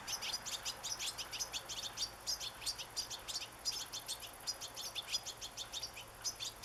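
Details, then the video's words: Song of a European goldfinch outdoors in nature, a lively run of bright, high-pitched twittering notes in quick clusters over nearly seven seconds, steady faint background noise. "صوت حسون في طبيعة"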